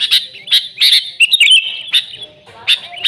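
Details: Sooty-headed bulbul, played to lure the species: a few loud, squawky chirps, then a wavering, slurred whistle that rises and falls before scattered sharp notes.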